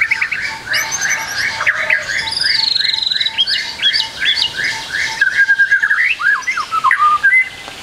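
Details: White-rumped shama, a trotol bird on a training recording with full song content: a repeated series of rising, buzzy notes over a quick regular low tick, then looping whistled phrases at the end.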